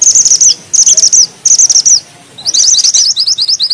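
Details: Grey bushchat in vigorous song: three quick bursts of shrill, high twittering, followed by a longer run of sharper, rising, slurred notes repeated rapidly, all very high-pitched and piercing.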